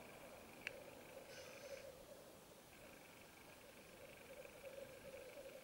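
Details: Male Black grouse at an autumn lek in Finland: a steady, low, dovelike bubbling rookoo runs almost without pause, with a brief hissing note and a single sharp click early on.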